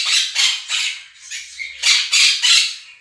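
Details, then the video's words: Two pet Quaker parrots screaming over a played recording of budgerigar chatter and song: harsh, broadband squawks in quick bursts, about seven loud blasts in three seconds with short gaps. "КАК ПОПУГАИ МОНАХИ СТАЙКУ ВОЛНИСТЫХ ПОПУГАЕВ ПЕРЕКРИЧАЛИ Quaker parrots scream over flock of budgies"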